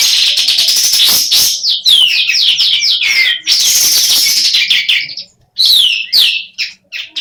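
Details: Sooty-headed bulbul, a female partly in breeding condition, calling almost without pause: harsh buzzing runs of fast stuttered notes with sliding whistled phrases, thinning into short separate notes at the end.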